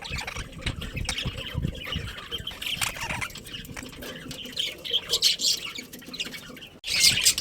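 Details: Budgerigars in a breeding colony chatter steadily, with dense high scratchy chirps and squawks throughout, a louder burst near the end, and low rumbling background noise underneath.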